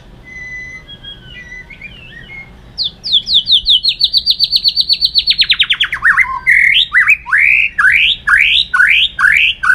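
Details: White-rumped shama fighting song used in training: soft warbling gives way to a long, rapid run of repeated notes sliding gradually downward, then loud upswept slurred whistles repeated about twice a second.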